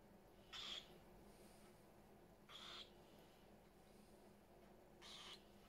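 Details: Three short, hoarse screeches from parrots kept in a house crowded with them, spaced roughly two seconds apart against a quiet room with faint background hum.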